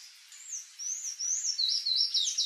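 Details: Palm tanager (Thraupis palmarum), a wild songbird in Brazil, singing a run of high, squeaky, sliding whistled notes that grow louder and quicker, ending in a fast rising-and-falling twittering sequence.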